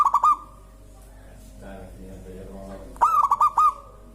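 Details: Cooing of a local zebra dove, noted for getting other birds to join in: the tail of one rhythmic phrase, a quiet gap with faint bird sounds, then a full phrase of clipped notes.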